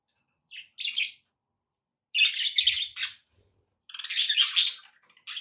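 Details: Budgies kept as pets give short bursts of buzzy, high chirping warble. Three main phrases are broken by clear silent gaps, and a final chirp follows at the end.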